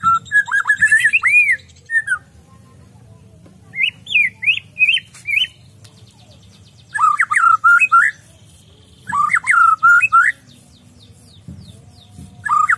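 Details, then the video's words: White-rumped shama delivering repeated short bursts of rich whistles and chattering slurs, each phrase about a second long and separated by brief silences, in the vigorous 'gacor' manner; faint high buzzy tones underneath. "Murai batu gacor untuk merangsang murai batu loyo jadi gacor lagi"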